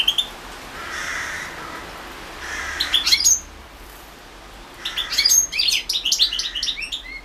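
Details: European goldfinch recorded for the 2016 world championship in goldfinch song: soft nasal, drawn-out notes first, then a sharp bright flourish, a pause, and a quick cascade of high twittering, tinkling notes.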